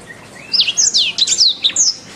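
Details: Canary master song: after a soft rising whistle, a burst of loud, high, sharply descending whistled notes and twitters follows in quick succession, clear and close.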